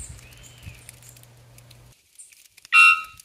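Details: A Three-wattled bellbird in Costa Rica in March, its call resounding strongly, gives one loud, brief, metallic 'kaan' note with a ringing, nasal tone, after a low steady hum and faint forest noise.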